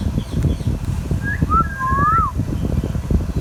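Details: Talking ringneck parakeet kept as a pet gives a short whistled phrase: a rising note, a flat tone and a gliding wavy whistle, all over steady low rumble.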